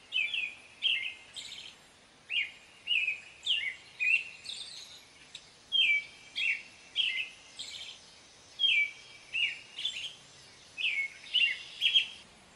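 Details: An American robin delivers a steady series of fluty, caroling phrases, nearly a dozen in the span, each a quick whistled slur, spaced evenly with short pauses, over soft background hiss.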